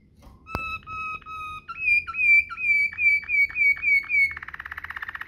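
Waterslager canary: long, pure, flute-like held notes, then a string of repeated liquid notes, ending in a fast, bubbling roll.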